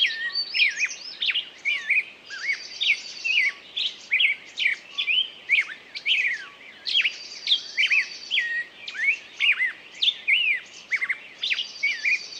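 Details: Continuous lively bird song made of rapid high chirps, slurred whistles and short buzzy trills, delivered in quick bursts for over twelve seconds with brief gaps and a soft hiss behind.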